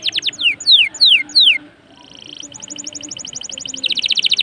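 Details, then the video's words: Canary in full song as a lure for other canaries: whistled notes sweeping downward, a brief quiet gap, then a rapid pulsed trill that swells steadily louder. "PANCINGAN SUARA KENARI GACOR || kenari gacor ampuh bikin kenari lain ikut gacor"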